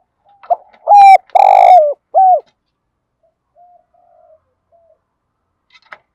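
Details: Spotted dove coo phrase in the thổ đồng style, used to stimulate training doves: very loud, slightly harsh rolling coos with a falling final note, then faint soft hoots and a brief tap near the end.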